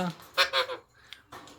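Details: Kashmiri pahadi Alexandrine parakeet talking: two quick, harsh, nasal syllables with a honking tone, then a fainter short burst after a pause. The word "Mukaka" is repeated around it.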